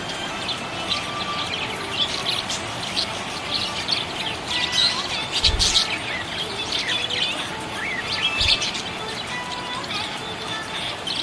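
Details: Happy budgerigar chirping busily, with quick high twittering notes, short warbles and squeaky chirps crowding together, set against steady background hiss, with two brief low thumps.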